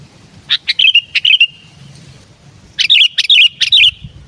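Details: Gacor song of a sooty-headed bulbul (kutilang), played to lure wild bulbuls. Two energetic phrases, each a string of five or six sharp chirps and fluty warbled whistles, separated by a pause of over a second.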